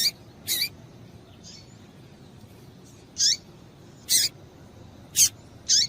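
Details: Double-collared seedeater female calls for stimulating males: short high bright chirps with a falling tail, repeated at uneven intervals of roughly one second, faint hiss behind.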